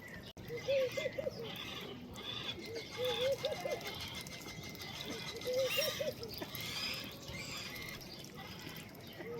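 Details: Ducks of several species, including freckled duck, South Georgia pintail, Madagascar teal, black-bellied whistling duck, marbled duck and Baer's pochard, feeding in a pond: wet dabbling noise with short groups of soft arched calls repeating every few seconds.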